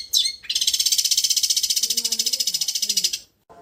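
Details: Long-tailed shrike in a training recording for cage birds, in the style called raja getar restu petir, gives one high, buzzy, fast-pulsed trill lasting nearly three seconds after a short sharp note.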